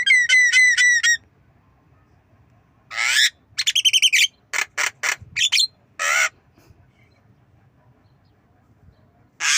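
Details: Black-winged myna learning to imitate a cough: a run of rapid ringing whistled notes, then harsh noisy rasps and clicks in short bursts separated by silences.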